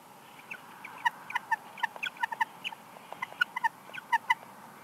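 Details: Bald eagles calling at a nest at Big Bear Lake, California, in early March 2021 as one bird arrives during incubation: repeated thin, squeaky, high chittering notes in loose bursts, moderately quiet against a faint background hiss.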